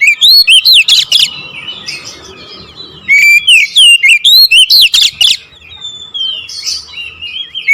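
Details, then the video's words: Oriental magpie-robin delivering a 'nembak ngerol' song: loud ringing whistles and trills in fast rolling bursts, a quieter warbled interlude, then another strong run of sweeping notes, with faint low background noise. "KICAUN KACER NEMBAK NGEROOL"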